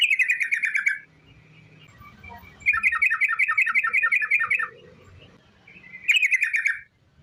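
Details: Sooty-headed bulbul in long 'ropel' song, used as a lure to set other bulbuls singing: three bursts of fast, evenly repeated chattering whistles, the longest about two seconds, separated by quiet gaps with faint low background rumble.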